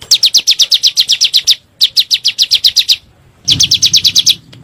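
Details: Bar-winged prinia, played as a lure to prompt caged birds into calling: rapid bursts of sharp, high chirps repeated in quick even series, three bursts separated by short pauses, with faint low hum beneath.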